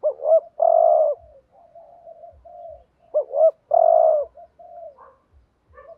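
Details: Spotted dove used as a decoy, cooing in 'thúc gù' fashion to provoke rival males. Two phrases of quick double hoots and a sustained croo, each trailing into softer wavering coos, with faint low thumps.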